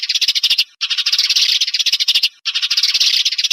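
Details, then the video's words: Rapid sparrow chirping in three tight bursts with brief silences between, a sound used to lure birds onto glue traps. "Tiếng chim sẻ chuẩn cho bẫy keo"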